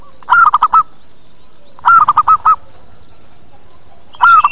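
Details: Zebra dove lure call used to attract and draw answers from other doves: a cooing phrase of one long, slightly falling note followed by three short clipped notes, repeated about every two seconds against a quiet background.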